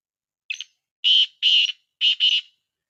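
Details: Black partridge voice meant to set other partridges calling. A brief scratchy note is followed by two long grating notes and a final doubled rasp, harsh and buzzy in a clean, quiet recording.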